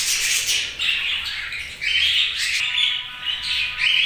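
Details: Budgerigar chirping: loud scratchy warbles mixed with short whistled notes, in steady overlapping phrases throughout.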